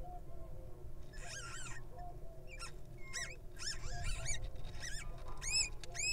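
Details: Little owl baby breaking out of its egg in the wild, giving many thin, high, bending squeaks in irregular clusters, some arched and some wavy, against a low steady hum.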